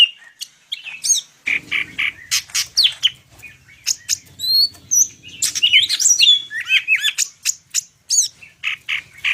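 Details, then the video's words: Full isian song of a Medan greater green leafbird. Quick sharp chips and a dense tumble of varied twisting whistles, with a faint low hum in the middle section. "cucak ijo medan_gacor full isian"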